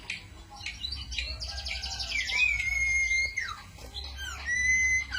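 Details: Cito bird singing as a lure or master song for training songbirds: a varied run of high whistles, buzzy trills and sliding notes, with a steady low hum underneath.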